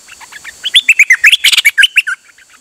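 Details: Songbird recorded on 8 September 2023 singing nonstop on an outing: a rapid run of clear, whistled notes jumping up and down in pitch with a few sliding phrases, in a quiet setting.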